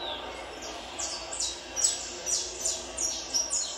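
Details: High, thin descending chirps from a Peruvian saffron finch kept for tournament singing, delivered almost three times a second at an uneven pace.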